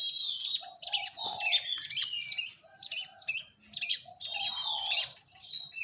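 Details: Long-tailed shrike repeating short squeaky, slurred whistle phrases roughly every second, interspersed with softer lower warbling notes.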